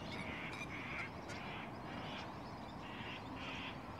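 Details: A large feeding flock of magpie geese (Anseranas semipalmata) gives loud, nasal honks, several overlapping about twice a second, over a steady rushing background of wind and distant birds.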